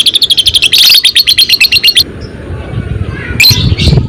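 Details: Fighter-type lovebird giving its long ngekek chatter, used as a lure recording to set other lovebirds singing: fast, evenly repeated high notes for two seconds, then a pause and two sharp chirps over low hum.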